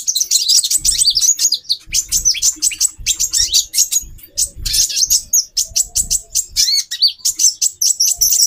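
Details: Female konin giving a near-continuous stream of sharp, high-pitched chips and twitters, used to raise a male konin's breeding drive. Occasional dull low knocks sound beneath the calls.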